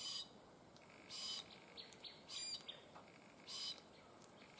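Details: Harsh, scratchy screeches of a glossy black cockatoo, brief rasping bursts coming irregularly about once a second, with faint hiss between calls.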